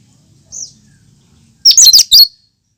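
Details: Native song of a cucak kinoi with no imitated notes, used to prompt other birds: a soft high whistle, then one burst of four sharp, piercing chattered notes.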